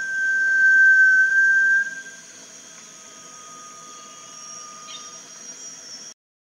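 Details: Long, level whistle of a Malaysian rail-babbler at Panti Bird Sanctuary, lasting nearly two seconds at the start, followed by only the steady high background drone.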